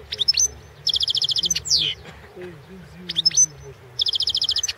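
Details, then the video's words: European goldfinch of the Balkan subspecies Carduelis carduelis balcanica, recorded for the 2016 World Championship in Goldfinch Song. Bright high twittering phrases and rapid even trills of ten or more notes, with a sweeping slur between, repeated twice. A faint low murmur underneath. "World championship in Goldfinch Song 2016"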